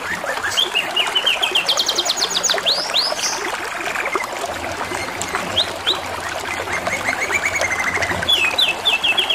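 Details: A singing canary with splashing, trickling water behind it: rolling trills of rapid identical notes, a burst of quick upward sweeps, then more pulsed trills and high chirps.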